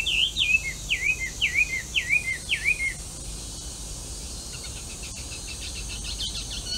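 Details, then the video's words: Wild melodious laughingthrush, an introduced species, singing on the Arakawa riverbank in Itabashi, Tokyo, Japan. It gives a run of six clear, falling whistled phrases, each swooping downward, and then goes quiet against soft background noise and insect hiss. "鳴き声 ガビチョウ Melodious Laughingthrush"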